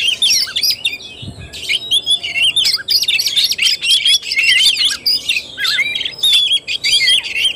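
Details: Oriental magpie-robin delivering fighting-style (tarung) song, 17 August 2021: long, energetic sequence of quick varied whistles, twanging notes and scratchy chatter, phrases following each other closely with short gaps.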